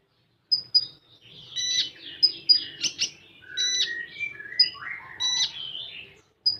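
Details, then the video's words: Common iora song in 'full tembakan' style, opening with sharp high pips and then running into buzzy bursts, sliding whistles and a low descending slur, delivered as one continuous energetic phrase. "Burung Konin Full Tembakan"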